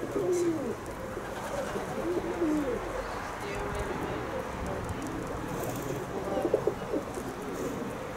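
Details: Kept pigeons give low, swooping coos, loudest near the start, then a softer mumbling of coos, with a human voice faintly heard in the background.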